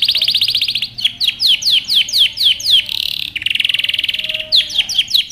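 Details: Canary training song with a fast buzzy trill, a row of sharp down-swept whistles about four a second, a harsh buzz, another rapid trill, and more swooping notes.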